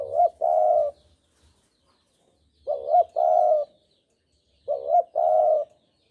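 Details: Spotted dove from Java, a lure recording for trapping: three soft two-part coos, a quick warbling opening note then a drawn-out level coo, repeating roughly every two seconds against near silence.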